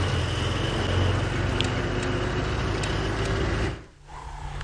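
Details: Safari drive vehicle engine rumbling steadily at sunset, with low droning hum and faint clicks, then dropping briefly near the end; no animal voice stands out.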